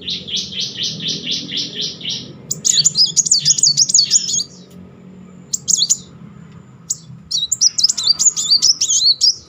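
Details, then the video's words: Steady series of about nine evenly spaced high pulsed notes, then fast wavy rolling trills in two bursts with a short pause between. A Kolibri Muncang sunbird performs this as a stimulus for a reluctant singer. "Kolibri Muncang gacor ngeroll || pancingan terapi memancing emosi Muncang macet."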